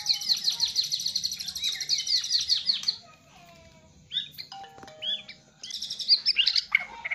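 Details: White-rumped shama delivering fill-in: a fast, high buzzing trill lasting three seconds, a short pause, then scattered varied whistles and another bright trilled burst with sharp upslurred notes.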